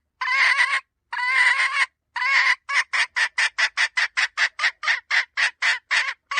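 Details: Hen call: three long, drawn-out harsh squawks, then a fast burst of about fourteen short, clipped raspy notes that speed up into a rapid chatter, loud and close.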